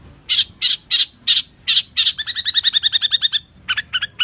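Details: Long-tailed shrike training song from a champion bird: six spaced harsh notes, then a fast trilled run of doubled, chattering notes, and a few more clipped calls.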